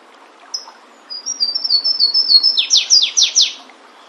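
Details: In natural surroundings, a flavescent warbler gives a lone high note, then a rapid, evenly spaced string of thin high notes. The string climbs into four louder, sweeping downward phrases before stopping. Quiet background.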